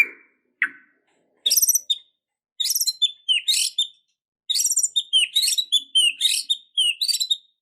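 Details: Constant-singing white-rumped shama with a song full of filler phrases, meant to make a lethargic bird suddenly fight: two low whistled notes, then clusters of sharp, very high chirps and downslurred tweets in rapid succession.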